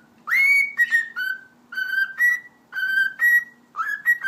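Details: Pet cockatiel whistling a repeated melody: strong tonal notes with rich overtones, short phrases of two or three notes each, repeated about every second, with faint low room hum.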